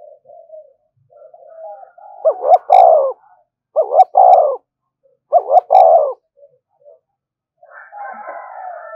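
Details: Spotted dove cooing to provoke other doves: three loud phrases spaced about one and a half seconds apart, each a quick stuttered pair of notes then a fuller coo, with faint murmuring coos before and after.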